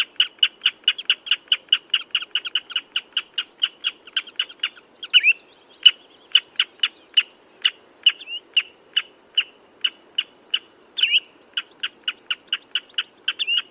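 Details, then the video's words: Common redshank calling in a long run of clipped piping notes, rapid at first, then slowing to a more even beat, with a few slurred, whistled notes mixed in; clean background with no other birds. "Tiếng Chim Choắt Chân Đỏ"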